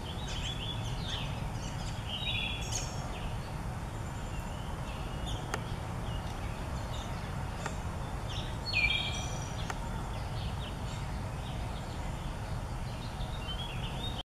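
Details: A wood thrush in a backyard on 5-10-16 gives fluty, ringing phrases every five or six seconds, each ending in a higher trill, over a steady low rumble of background noise.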